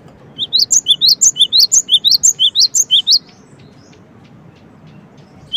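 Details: Cinereous tit, known locally as gelatik batu, calling in a quick burst of sharp high chips alternating low and high for about three seconds, then silence with one last note at the end.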